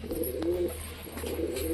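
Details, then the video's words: Domestic Kalanka pigeons in a kept flock calling after a young bird: low soft cooing, a few droning notes, under steady background hiss and low hum. "আমাদের কালাঙ্কা ওখানে ডাকাডাকি করছে বেবিটার পেছনে সবাই ডাকাডাকি করছে"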